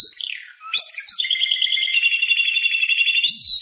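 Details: Timbrado canary song: a falling whistled glide, then a long, steady, rapidly rolled trill held at one pitch for over two seconds, ending on a slightly higher buzzy note.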